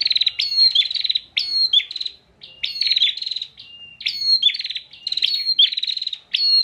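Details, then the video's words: Caged bar-winged prinia from Pemalang, Central Java, singing insistently for use as a tutor for other songbirds: loud bursts of buzzy, rattling trills and sharp whistled notes, repeated about every second with brief pauses. "PRENJAK GACOR NGOTOT UNTUK MASTERAN"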